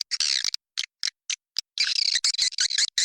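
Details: Swiftlet lure call for swiftlet farming, in the inap raja liur version: short separated raspy chirps, then a denser run of harsh twittering notes.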